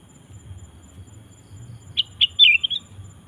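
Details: Sooty-headed bulbul singing to call wild bulbuls: after quiet, a few short bubbly notes near the top of its range, then a quick warbled phrase lasting about a second, with faint low rumble beneath.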